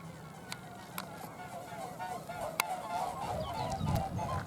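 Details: Mute swans in flight by a lake, their wings making the characteristic flight noise, filmed 10 April 2022 with a slightly faulty camcorder; a steady, throbbing hum of wingbeats that swells toward the end, with a few sharp clicks.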